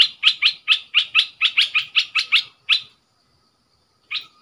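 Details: Caged decoy red-whiskered bulbul giving a fast series of about twelve identical sharp chattering notes, evenly spaced about five per second. One more note comes after a brief silence, with a faint steady hum behind.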